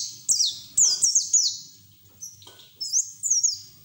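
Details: A caged white-eye chattering with open beak sings bursts of thin, very high twittering notes, each quickly sliding downward and strung into rapid runs separated by brief pauses.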